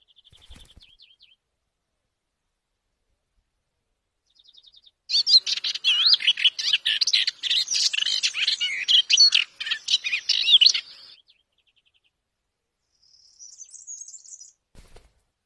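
A white-browed reed warbler delivers a loud, scratchy, chattering song phrase of rapid varied notes.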